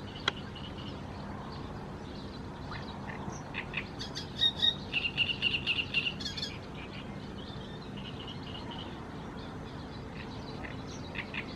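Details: Great reed warbler (Acrocephalus arundinaceus) in Croatia giving a burst of harsh, chattering notes in quick succession for about two seconds, over a steady hiss of background noise.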